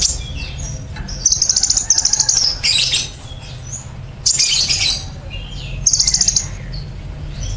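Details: Van Hasselt's sunbird in 'nembak cililin' style, a training recording for cage birds: rapid high trilled phrases and dense buzzy bursts repeated every second or so, over constant low background rumble.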